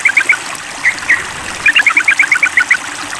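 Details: A sooty-headed bulbul calls at a rival with a few spaced chirps, then a brisk even series of about a dozen paired notes, over soft flowing-water noise.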